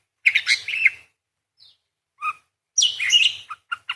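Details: Parakeet in song: a scratchy chattering phrase, a faint high note, a lone doubled chirp, then a renewed burst of squeaky warbling ending in clipped short notes.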